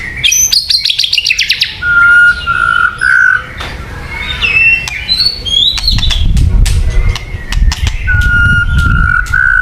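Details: White-rumped shama song for luring birds, full of variety: harsh rapid chatter at the start, then steady level whistles, quick high twitters and crisp clicks, with a low rumble in the middle.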